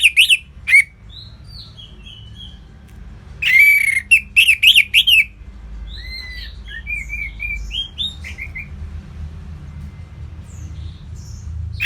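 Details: Orange-headed thrush (Anis Merah) singing in the supple ngeplong style, from Singaraja, North Bali: loud bursts of sharp, buzzy, rising-and-falling high notes, then a run of softer varied whistles and chirps over a low background hum.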